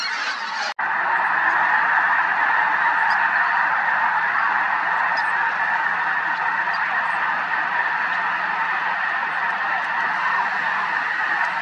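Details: Large flock of snow geese in flight at Merced National Wildlife Refuge, February 2021, with sandhill cranes present: steady, massed wall of overlapping nasal honking, one sharp click near the start.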